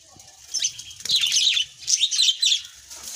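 Small birds chirp in quick high bursts, three clusters of sharp twittering notes over about three seconds, with a faint low rumble beneath.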